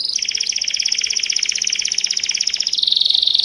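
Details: Belgian canary singing in a powerful, melodious style, a long fast even trill of bright pulsed notes that steps down to a lower, denser trill near the end; faint low hum beneath.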